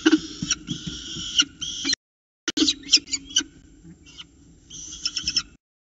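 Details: Young peregrine falcons at their Orange nest box at 9.36 am, 29 October 2018, squabbling over freshly delivered prey before an adult steps in to feed them. Loud, raspy, harmonic screams come in bursts, with a brief silent gap midway.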